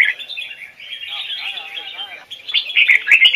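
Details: Red-whiskered bulbul, double-note Hoài Sơn forest singing style for training, gives a steady stream of fast chirpy twitters that swells into louder, sharper warbled notes and clicks over the final second.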